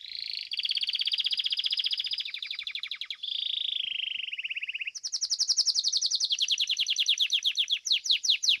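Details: Domestic Belgian canary singing in the seventh edition of a song competition: continuous rapid trills, first steady near the upper-middle range, then dropping in steps, then a higher, sharper run of fast rolling notes, slowing toward the end.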